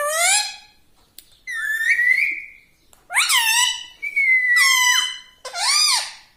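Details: Talking pet parrot producing five nasal, harmonic word-like phrases, some swooping up then down, one flat and held, with short pauses between them.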